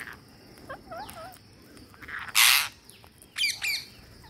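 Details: Green parakeet at feeding time: a few short wavering chirps, then a loud harsh burst and two sharp ringing squawks near the end, over a quiet background.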